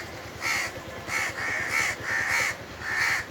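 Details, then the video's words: Indian Crows cawing from the top of a tree on a very hot summer day: five harsh, nasal caws in quick succession, each about half a second long with short gaps, over faint background hiss. "Indian Crows cawing"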